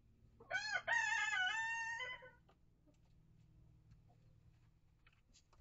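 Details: Chicken in a backyard coop and run with mature hens and young chicks of mixed breeds, calling out with a loud, harmonic, drawn-out call lasting about two seconds, rising then falling and then trailing off, over a low steady hum.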